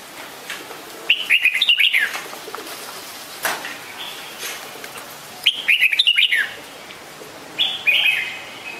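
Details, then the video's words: A red-whiskered bulbul repeats a bubbly, chattering phrase about every four seconds, ending with a shorter bright note. "นกปรอดหัวโขน - Red-whiskered Bulbul call very well"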